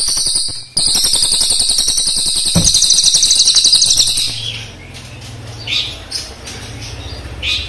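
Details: Crested jay, black and brown birds, giving long rolling rattles: dense, rapid buzzy pulses running for about four seconds, then quieter scattered chirps.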